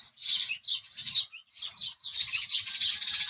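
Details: House sparrow chirping in loud, overlapping clusters of harsh high notes, with two short breaks before a sustained final burst.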